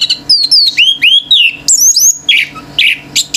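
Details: Intense 'gacor teler' song from a male orange-headed thrush, with other birds reacting: a quick string of bright, falling whistled notes and high loops, then harsher buzzy bursts.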